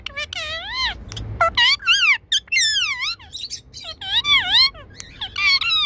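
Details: Six-year-old male Indian ringneck kept as a pet, responding to its owner's return home: dense, excited chatter of bending, nasal-sounding harmonic phrases, some rising and some dipping, broken by short sharp clicks and gaps.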